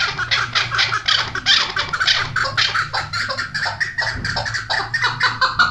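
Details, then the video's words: Female chukar partridge giving a fast, continuous stream of harsh chattering clucks that run together, with a steady low hum in the background. "female chakor ki awaz"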